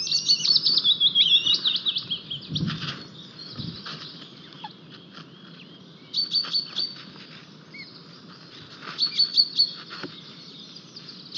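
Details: White-tailed eagles at their nest in Estonia on 4 May 2023, with a newly hatched single chick as the male brings a fish. Opens with a high yelping run of quick repeated notes, then more brief yelp bursts amid songbird chirps.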